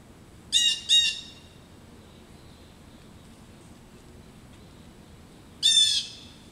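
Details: Local blue jays scolding an adult male osprey roosting in a back yard: two harsh, buzzy jeers in quick succession, then a long pause before a third rasping call.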